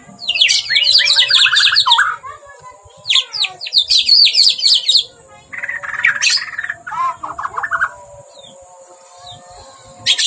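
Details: White-rumped shama singing in an agitated, excited mood: loud bursts of rapid, sharp, high chattering and sweeping whistled notes, broken by short pauses, with a steady high hiss behind.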